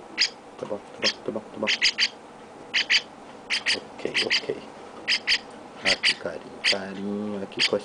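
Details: Young chestnut-cheeked starling receiving affection from its keeper: steady, short, rasping squawks repeated about once a second, singly or in pairs, with faint human voice sounds.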